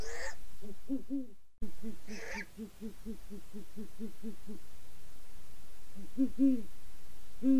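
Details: Great horned owl couple: deep hoots broken by a sudden cut, then a long rapid run of short, low hoots, followed by a pause and a few stronger hoots, with two breathy rasping bursts.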